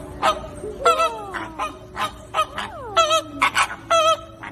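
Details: Flamingo calls: a series of loud, nasal, goose-like honks repeated in irregular bursts, some with downward sliding tones, several birds overlapping.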